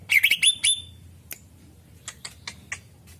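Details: Greater green leafbird lure song meant to attract other birds; a brief burst of shrill twittering whistles, then several spaced, sharp single chips.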